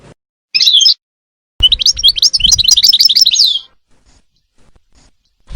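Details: European goldfinch gives a short high twittering burst, a pause, then a longer rapid phrase of jangling, buzzy chirps lasting about two seconds, with a low thump at its start.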